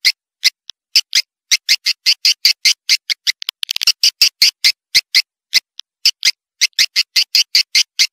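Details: Swiftlet clicks: short, dry, high clicking notes repeated rapidly at about two or three per second, uneven in spacing, with a brief cluster of faint rapid ticks midway.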